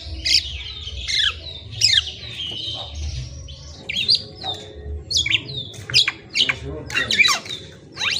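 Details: Black-naped oriole song of scattered sweeping whistles and chirps, sparser at first, then a denser run of sharp high notes, with faint low background noise.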